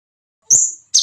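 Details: Common iora singing persistently to provoke rival iora: a single long, thin, high whistle held steady then fading slightly downward, followed after a short gap by the start of another bright high note.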